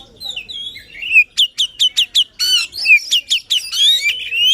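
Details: White-rumped shama singing with full emotion, used to prompt a quiet shama into song: a sliding whistle, then a series of evenly spaced sharp downslurred notes, ending in rich warbled phrases.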